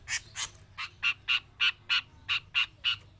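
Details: Javan long-tailed shrike, kept as a trained song bird and singing both in and out of its cage, giving a fast run of harsh, buzzy, evenly spaced notes, about three to four a second, over a faint low hum.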